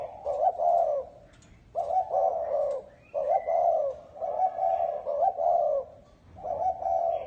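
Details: Spotted dove, chuông đồng (bronze-bell) style, cooing to stir up males and females: strong, deep coos grouped in phrases with brief silences between, clear and loud, with faint high chirps behind.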